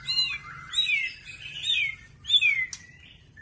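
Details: Young spotted white-rumped shama singing cerucuk fill: clear whistled phrases that slide downward, spaced with short pauses, a sharp click near the end and a brief final note, against faint low noise.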